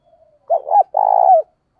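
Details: Spotted dove coo from a recording of male and female birds used to train decoys and provoke wild doves: a low, hoarse two-part phrase, a short double note and then a longer rolling, vibrating coo that falls at the end.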